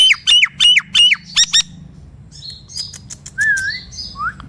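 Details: Nias hill myna song used as a lure to prompt silent mynas to sing: five loud whistled notes with a sharp downward kink, repeated about every third of a second, then sharp clicks and softer gliding whistles.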